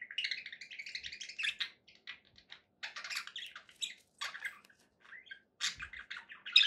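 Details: Pet parakeets twitter in quick, scratchy chirping phrases with gaps, ending in a louder sharp note.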